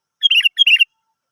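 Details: Sooty-headed bulbul song used as a lure to prompt other birds to sing: two quick bubbly phrases of liquid, warbled notes, each about a quarter second long, separated by a brief pause, clean and without background sound.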